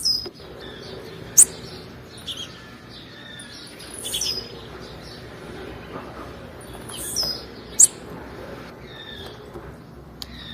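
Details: Repeated sharp, very high chirps and short falling notes from a female blue-black grassquit, a call used to stimulate males, recurring every few seconds over soft hiss and distant twitters.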